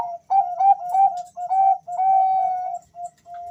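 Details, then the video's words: Zebra dove males, two answering each other, giving soft whistled coos near one pitch, a string of short linked notes ending in a longer drawn note and a brief clipped one, with faint low rustling beneath. "suara panggilan dua perkutut Jantan saling Bersahutan"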